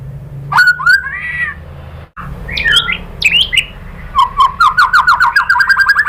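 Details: Murai batu, the white-rumped shama, in an Indonesian lure recording for provoking song. It opens with harsh squawky notes, then jumbled chattering phrases, and ends with a fast run of rising ticked notes repeated about four times per second.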